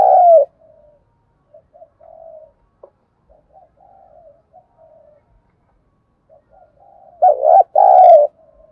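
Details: Decoy spotted dove cooing to excite newly caught doves: a loud coo at the start, a long spell of soft scattered low notes, then a double short coo and a drawn-out one.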